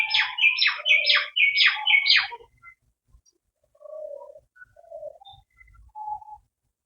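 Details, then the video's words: Indian peafowl calling beside Gorumara forest in the Dooars, heard from a resort balcony: five loud, nasal, ringing notes in quick succession, followed by softer, lower notes from various other forest birds. "এটি হল ময়ুরের ডাক।"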